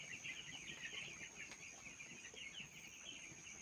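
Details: Small broiler chicks on a farm, a softer but steady chorus of shrill, overlapping cheeps from many birds, with a faint steady hum underneath.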